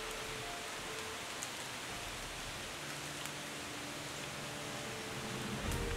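Steady rain hiss with a few sharp drop ticks and faint sustained tones like soft background music, with no animal calls.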